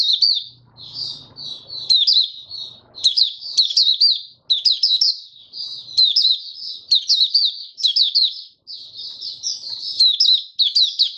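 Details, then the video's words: White-eye in steady, vigorous song, repeated bursts of rapid high twittering phrases separated by brief pauses, against a quiet background. "Mata Puteh Raja Stablizing his form buka sing"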